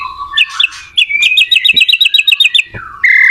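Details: Shama song for teaching other shamas to sing: a low whistle and buzzy notes, then about a dozen evenly spaced, bright ringing notes in a rapid series, closing with a short steady whistle.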